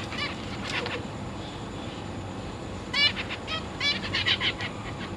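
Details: Captive zebra finch parents with three juveniles and three recently fledged babies, recorded 22 August 2023. A few nasal calls open, followed by a quiet gap, then a lively run of short, repeated, buzzy calls from several birds over low background noise.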